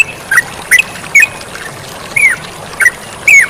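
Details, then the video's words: Sooty-headed bulbul calling actively over the sound of flowing water: six separate bright, slurred notes, some dipping downward, spaced irregularly about half a second apart, with a soft background hiss. "MASTERAN TERUCUKAN GACOR DAN SUARA AIR MENGALIR"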